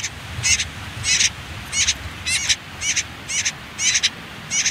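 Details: Rhythmic scratchy high bursts, roughly two per second and evenly spaced, from common whitethroat nestlings on their final day in a riverside nest concealed by reeds and nettles.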